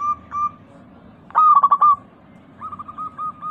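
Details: Local perkutut, the zebra dove, in a lure recording meant to make a pet dove sing. A brief soft coo, then a loud broken stutter of notes, followed by a softer series of short repeated coos.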